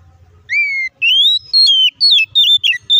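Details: Oriental magpie-robin (kacer) song, used as a lure to provoke other kacer into quick, agitated replies: a long clear whistle slightly falling, then a rapid run of varied slurred whistles rising and dropping, loud and crisp over faint low hum.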